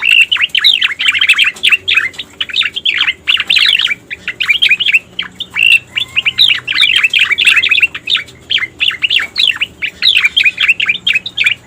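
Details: Striated grassbird song played as a lure to draw in the species: long, dense, energetic warbling of quick chirps and rolling phrases, broken by brief gaps.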